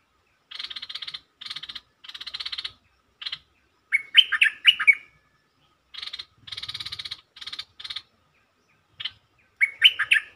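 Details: Bulbul lure song played to make birds excited: runs of harsh, rasping chatter bursts alternate with liquid warbled phrases, repeating over ten seconds in a clean recording.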